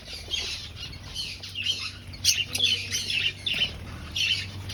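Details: Aviary finches at breeding time, searching for a nest: bursts of high, squeaky chirps come in clusters about every half second, over a steady low electrical hum.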